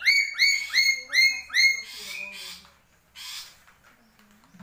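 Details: Black-capped lory from Papua giving five loud, harmonic, nasal calls, each rising sharply then levelling off, about every 0.4 seconds, followed by a few harsher, noisier squawks and a quiet stretch.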